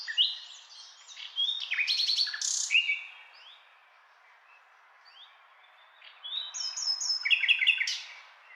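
A nightingale sings varied phrases of rich whistles, rapid trills and sharp chirps, with a quiet pause between two bursts; nothing else is heard.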